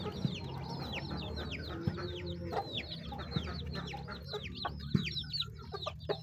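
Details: Chickens at their food: rapid high peeps sliding downward, crowded together, above a strong low rumble and occasional clicks of pecking.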